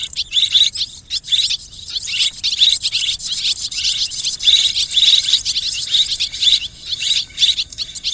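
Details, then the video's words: Swiftlets in a mixed chorus of calls: dense, rapid high-pitched chirps and twitters overlapping almost continuously, with brief pauses between bursts. "ສຽງນົກແອ່ນ ຮ້ອງປະສົມ Tiếng én, Tiếng Chim Énเสืยงนกแอ่น"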